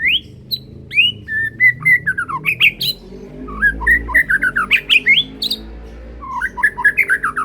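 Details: Banded juvenile white-rumped shama of the Medan type singing loudly and continuously: clear whistles and slurred falling notes flowing into fast, rich trills and chatter, with low background hum.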